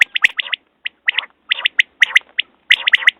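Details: Common quail calling in quick bursts of three short, bright notes, each triplet about half a second long and repeated four times within a few seconds, with a few faint clicks between the phrases and otherwise quiet surroundings.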